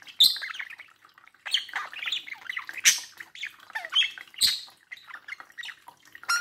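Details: Budgerigar chatter from a pair of pet birds by a mirror: rapid scratchy warbling mixed with harsh squawks, loud bursts recurring every second or two.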